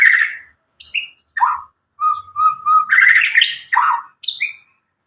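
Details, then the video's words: Varied song of a young White-rumped shama from Medan, about nine months old and newly out of juvenile plumage, untutored, loud and clear, used to stimulate young birds: separate whistled phrases, buzzy notes, a quick run of short pips and descending slurs. "murai batu Medan gacor walau lepas trotol cocok untuk pancingan murai batu macet"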